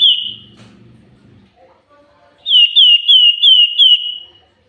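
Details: Active song of a common iora: a sustained high whistle over a faint low hum, a short gap, then five or six loud, evenly spaced whistled notes, each slurring downward.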